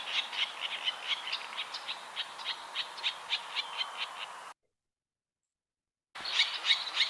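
Virginia Rail giving a fast, even series of rough, pig-like grunts, about three per second, broken by a brief silence before resuming.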